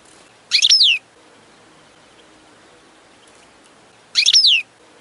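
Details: Goldfinch high singing exercise for song training: two short, bright twittering bursts with quick downward-sweeping high notes, about three and a half seconds apart, separated by near silence.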